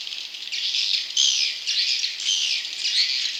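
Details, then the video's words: Swiftlet chick calls meant to attract wild young swiftlets, heard as a thick mass of high, rasping twitters with brief louder squeaky bursts roughly every half second. "Suara Walet Anakan Super"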